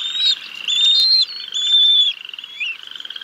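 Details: Live nest-cam recording of bald eagles at Decorah North on 6 May 2022, the male feeding fish to the chicks. Loud, thin whistled squeals repeat in quick succession, giving way to a fast stuttering chitter.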